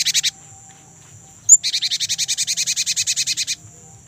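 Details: A young Great tit in rapid rolling song: three quick notes, a sharp high note, then a fast run of about twenty bright, even notes, over a faint steady high whine.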